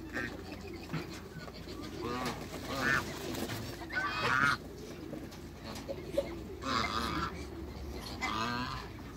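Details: A pair of African geese kept with waterbirds in a backyard, giving scattered nasal honks amid a busy, noisy yard with other fowl sounds.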